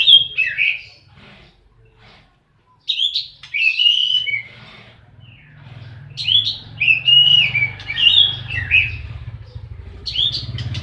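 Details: Oriental magpie-robin, known locally as kacer, singing in fighting mode: loud, varied whistled phrases with sharp up-and-down sweeps, delivered in bursts separated by pauses, over a low background rumble.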